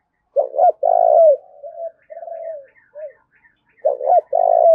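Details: Decoy spotted dove cooing to urge fighting: deep stuttered notes and a long rolling coo, soft murmured notes, then another phrase, with faint high chirps of other small birds behind.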